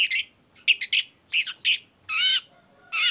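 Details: Chattering Baham long-tailed shrike, a lure recording meant to set other shrikes singing. Short scratchy notes come in a quick uneven run, then two longer, rasping, slightly wavering squawks.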